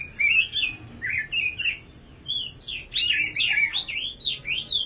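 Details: Nightingale song with bright whistled phrases broken by a brief pause, then a rapid run of looping, zigzagging warbled notes.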